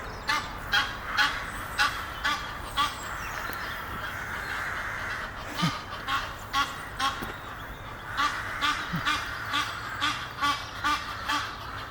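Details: A courting pair of Egyptian geese up a tree near Henley upon Thames. Harsh, nasal honks come in steady bursts about every half second across the whole stretch, with a short quieter pause near the middle and faint background rumble.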